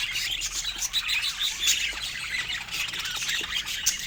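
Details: Happy pet budgies chirping together: a dense, steady wall of bright, scratchy warbles and quick squeaky tweets, overlapping without pause throughout.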